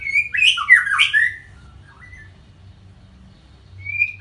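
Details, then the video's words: White-rumped shama giving a brief burst of tangled whistled and squawky notes in the first second and a half, then near silence with low rumble, ending with a single thin rising whistle. "Murai Batu (Panji Semerang)"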